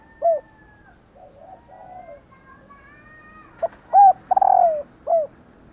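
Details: Female spotted dove calling to stimulate male spotted doves to coo in response. A short low coo, then a soft rolling burble, then a quick cluster of three or four clear, slightly falling coos in the last two seconds. Quiet background.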